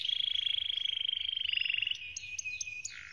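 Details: Canary singing a training song: a long, even, rapidly pulsed rolling trill held at one high pitch for about two seconds, then breaking into short sharp upward flicks and a lower closing note.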